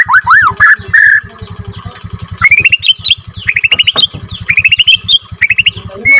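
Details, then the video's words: F2 Borneo white-rumped shama in a long rolling song used as a lure for other shamas. Looping whistles and bright, rising repeated notes come in clustered phrases over a steady low pulsing hum, likely from a motor. "MURAI BATU BORNEO F2 NGRROLL PANJANG AUTO BIKIN MURAI LAIN GAK BISA DIEM IKUT EMOSI"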